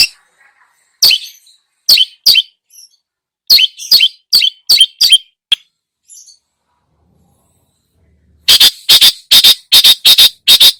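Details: Long-tailed shrike singing with mimicked phrases, used as a lure to stir other birds: spaced chirpy notes with soft high flourishes, a long quiet gap, then a loud, rapid burst of harsh chattering.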